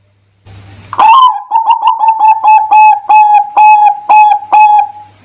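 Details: Zebra dove singing vigorously as a lure for other doves, one loud phrase of rapid, rhythmic staccato coos held on a steady pitch, about eight pulses fading out at the end.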